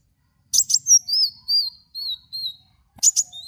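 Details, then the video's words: Kolibri wulung, the Van Hasselt's sunbird, on a training lure recording: a few sharp high ticks followed by a string of thin, slurred whistled notes that rise and fall, then more clipped chirps. "apapun pasti langsung nyaut dengan pancingan suara burung kowul ini"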